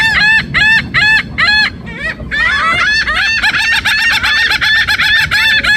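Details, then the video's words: Loud birds calling: a run of harsh, honking, harmonic calls repeated about every half second, then a dense chorus of many overlapping honks from several birds. "Birds loud noise"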